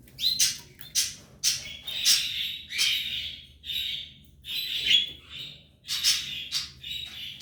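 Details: Three Belgian canary chicks in the nest with their parents, kept as pets; loud, rasping high-pitched begging bursts come in rapid clusters, pausing briefly between volleys.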